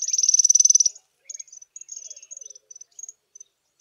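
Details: From a small flock of African firefinches sunning themselves on a chilly morning in South Africa, a rapid high trill for about a second, then a string of short thin chips and notes.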